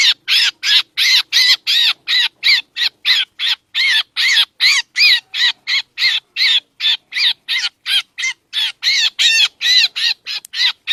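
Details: Black drongo lure call for trapping birds: a long, rapid, steady train of harsh, buzzy chatter notes, about three per second, each with a small arched inflection, and nothing else audible.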